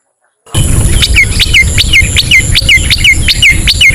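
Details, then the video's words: Long-tailed shrike lure in ngetet style for slow-singing captive birds: a rapid series of sharp, downward-hooked whistled notes, about three a second, each with a click, over a steady low rumbling background. "SUARA CENDET NGETET"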